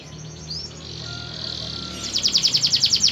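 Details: Canary singing a sustained high buzzy tone that breaks into a fast rhythmic trill of rapid repeated notes, over faint low hum.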